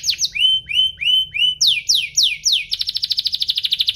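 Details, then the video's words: Singing canary played to make other canaries respond: rising whistled notes, then strong descending sweeps, ending in a rapid, even, buzzy trill. "Pancingan kenari biar gacor"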